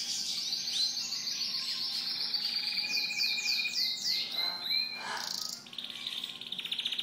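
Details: Several canaries singing together in a shop on 5 May 2011, with fast high trills and rolling runs of notes that overlap, ending in a steady buzzy trill.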